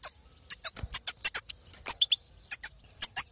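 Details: Female European goldfinch calling to stimulate a male to sing, a call also used in bird trapping; sharp, very high chirps, mostly in pairs, repeating every half second or so, with one lower buzzy note, against a quiet background.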